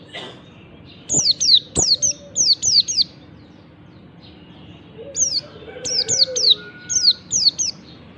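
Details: Oriental white-eye singing its morning ngalas song, used to prompt lazy white-eyes to sing: bursts of high, thin, sharply descending whistles in quick clusters of three or four, with a steady low hum behind.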